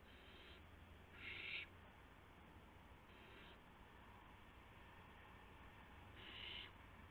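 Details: Owlets in the nest after midnight on March 19, 2016, during a series of deliveries of mice and a gopher. Hoarse hisses come in two pairs, one quiet and one louder in each, several seconds apart.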